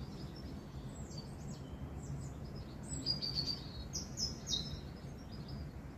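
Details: A robin sings thin, high, quick warbled notes in short bursts in a spring garden with anemones, likely at Hidcote, fairly faint over a steady low rumble of background noise.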